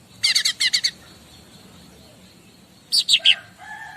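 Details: Master song of a bar-winged prinia: two quick paired groups of high buzzy chips, a pause, then three louder descending notes followed by faint lower whistles.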